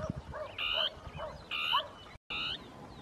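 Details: Northern tapaculo territorial song amid shrubs, two birds interacting. Three buzzy croaking notes with a brief dropout, accompanied by softer lower calls and some low rumbling noise.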